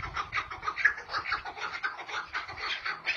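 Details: Chukar partridges calling back and forth in a vocal duel: a fast, dense run of raspy, repeated chuck-like notes, roughly two per second, overlapping between birds, with faint low rumble beneath.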